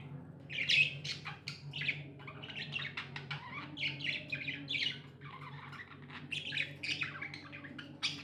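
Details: Tame budgerigars warble and chirp almost nonstop, quick buzzy notes and short squeaks tumbling together from more than one bird, a soft low hum behind.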